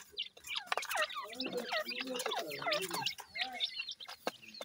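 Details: Irani partridge chicks, known locally as dakhni teetar, feeding: a dense overlapping chorus of short curved peeping chirps, many rising and falling, tumbling over one another with hardly a pause, mixed with faint clicking and scratching.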